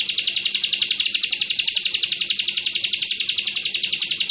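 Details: Ciblek or bar-winged prinia tutor recording, 'kristal bren rapat' style meant as song material for white-eyes: a steady, fast run of bright high chattering notes, nearly four per second, without pause.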